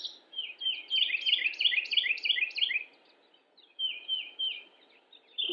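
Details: A Carolina wren (Thryothorus ludovicianus) on a late-March photo walk in Cabarrus County, North Carolina, USA, 27 March 2017, gives loud ringing phrases in a fast rolling series, about four per second, then pauses and restarts over a soft hum.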